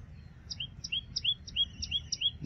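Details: Common tailorbird (Orthotomus sutorius) song: loud, high, sharp notes in quick succession, about three per second, alternating a piercing chip with a rising slurred note, over a low background rumble.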